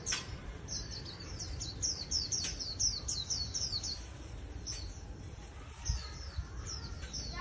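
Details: Newly wild-caught Japanese white-eye kept as a cage bird and praised as good for decoy fighting, singing a rapid, thin, high twitter of short slurred notes, about two per second, in runs with brief pauses over a steady low background hum.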